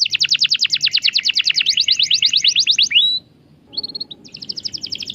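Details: Canary song used to get a quiet canary singing: a long rapid roll of high down-slurred notes, a short whistled slur, a pause, then brief high notes and a renewed quick trill.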